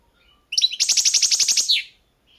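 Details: Competition recording of a Balkan European goldfinch, Carduelis carduelis balcanica, at a 2022 world song championship: a bright high phrase of rapid repeated buzzy twittering notes, roughly a dozen evenly spaced, ending in a falling slur.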